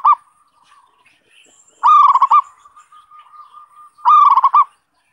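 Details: Zebra dove song used to lure wild birds: stuttering bursts of quick coo notes about every two seconds, joined by faint, steady drawn-out cooing.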